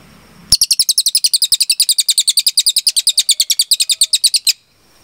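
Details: Long burst from a velvet-fronted nuthatch (cililin) in tutor-recording style: four seconds of rapid, evenly spaced, shrill high chip notes at roughly eight per second, starting and ending sharply against a quiet background.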